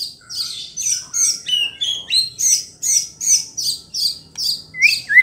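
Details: Murai batu, the white-rumped shama, in song meant to rouse rival shamas: high, sharp chirped notes repeated about three times a second in a steady series, ending with a lower, clearer whistled slur.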